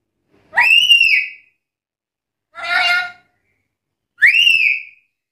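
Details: A black-capped lory, recorded as a challenge call to provoke other lories to answer, gives three loud, harsh whistles about every 1.8 seconds, the first and last sharply rising then levelling, the middle one buzzier.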